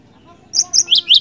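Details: Cinereous tit singing in the energetic ngerol ngeplong style, recorded for use as a lure: three quick high, sharp notes, the last two sliding downward, each a short bright burst, over a quiet low hum.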